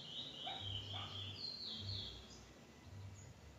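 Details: Trinidad bullfinch heard faintly through steady low hum and background noise, giving a high, fluid warble of sliding whistled notes that fade after about two seconds.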